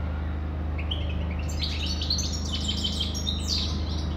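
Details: Rapid twittering song of a European goldfinch begins after a quiet start: thin, high, tinkling notes packed densely together over a steady low hum.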